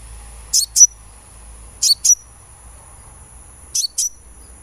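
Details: Sunbird, from a therapy recording to get birds singing: paired high, sharp chips, each pair ending in a brief thin whistle, repeated three times over about four seconds.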